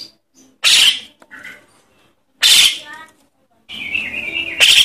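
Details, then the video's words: Begging calls of a young Javan myna, a sound used to lure parent birds: loud hoarse screeches repeated at irregular intervals, plus a thinner, wavering squeal before the final burst. "Suara anak jalak kebo untuk pikat burung jalak kebo indukan"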